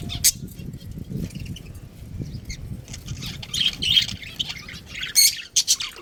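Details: Budgerigar colony with a breeding pair: scattered high chattering chirps, brief sharp notes at the start and a denser warbling burst near the end, over low rumbling background noise.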